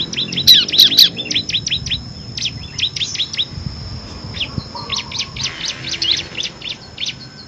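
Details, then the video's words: Bar-winged prinia of the 'kristal' type singing in the rapid 'ngebren' style, a six-variation song used to tutor competition birds: sharp high chirps in uneven bursts, louder at first then softer, over a low background rumble. "FULL NGEBREN‼️ CIBLEK KRISTAL GACOR ISIAN 6 VARIASI COCOK UNTUK MASTERAN BURUNG PRESTASI"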